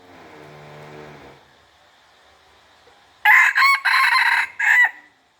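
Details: Decoy chicken crowing: a loud, harsh crow broken into four bursts, starting after a quiet stretch with a soft, low droning hum.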